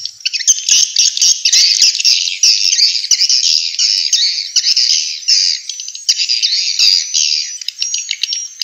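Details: High, busy twittering of swiftlets from Vietnam, used to lure birds into bird houses, a steady stream of harsh chirps and trills with short dips in loudness.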